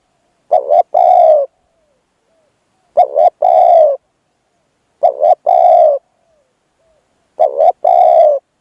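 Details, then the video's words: Spotted dove decoy calling while luring a wild bird: four evenly shaped phrases of two short notes plus a sustained coo, roughly every two and a half seconds, in near silence. "ต่อนกเขาใหญ่ พลาดเฉลยเสียงดีครับคารมสุดยอดครับ"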